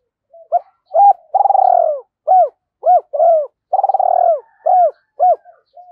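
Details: Caged decoy spotted dove, quickly roused to coo: a repeated phrase of short hooked notes and two long, trembling, rolling coos, loud and close with nothing else heard.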